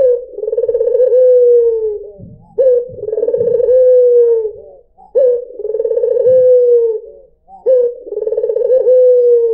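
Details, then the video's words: White dove cooing as a lure for other birds: four deep, throaty coos, each a sharp start, a quick vibrating roll and a long falling tail, with faint low thumps in the gaps. "PANCINGAN SUARA BURUNG PUTER PUTIH || SUARA BURUNG PUTER MERDU"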